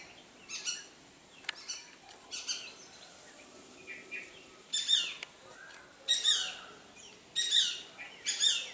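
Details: Greater racket-tailed drongo, an expert mimic, copying calls of Shikra, Rose-ringed Parakeet and Treepie: scattered short chirps early, then four loud harsh broadband bursts spaced about a second apart in the second half.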